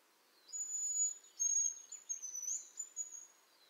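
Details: Lithuanian hazel grouse giving a very high, thin, drawn-out whistle broken into short stuttering pieces and ending in a faint high note, over a quiet background.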